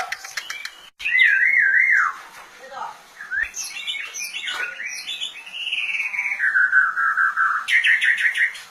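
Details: White-rumped shama in rich, loud song: wavering whistled phrases, bright twittering notes and sweeping, slurred warbles that slide downward, closing with a burst of quick, high chips.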